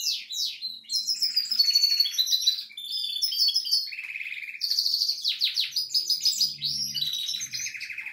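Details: Goldfinch singing steadily, a bright tumbling sequence of twitters, swooping notes and rasping buzzy trills; a soft low sound briefly joins near the end.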